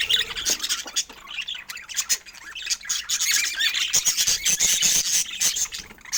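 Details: Happy pet budgerigars at golden hour keep up a busy stream of high, rapid chirps and twittering warbles, overlapping and nearly continuous with brief dips in loudness.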